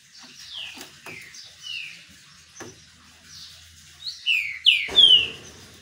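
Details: Green-winged saltator sunbathing and singing: soft descending whistles with scattered clicks, building to a loud, ringing, downslurred phrase at the end.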